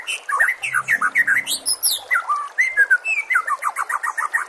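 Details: White-rumped shama in full song, recorded as training material for caged birds: loud, varied whistled notes and rich slurred phrases in a rapid, continuous stream, with a faint low hum early on and water sounds behind.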